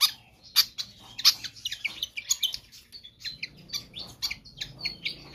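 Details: Pied fantail singing vigorously, kept as a tutor or lure track for other birds: dense bursts of high, sharp chirps and clicks with short squeaky whistles, in irregular rapid runs with no pause.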